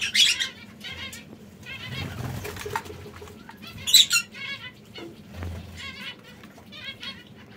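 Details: Caged canaries, brown, red and yellow, giving short bright chirps and trills at irregular intervals, with scattered clicks, rustling and wing-flutter sounds between the calls.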